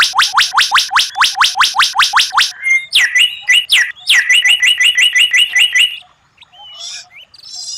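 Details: White-rumped shama contest training song, rare 'tembakan' style: a long string of quick identical upswept chips, then sweeping whistles and a rapid trill-like run, ending in soft scattered notes.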